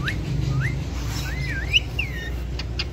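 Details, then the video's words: Two pet talking rose-ringed parakeets (Indian ringneck parrots) vocalising live: a short run of clear whistled notes, some rising and others swooping up and down. A steady low hum sits underneath. "Mithu Alex Talking Everything"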